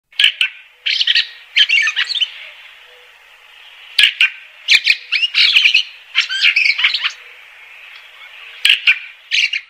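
A Fieldfare gives harsh, dry chattering calls in short bursts of several notes, with brief pauses between groups. No other clear sounds.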